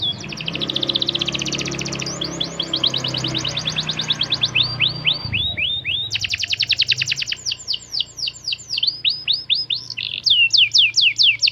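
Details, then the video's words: Canary singing to teach other canaries: long chains of fast repeated high chirps and rattling trills changing speed and pitch, one phrase after another, with a low humming background in the first half. "Pancingan Kenari Belajar Bunyi || Bikin Kenari Ikut Ngeriwik & Gacor"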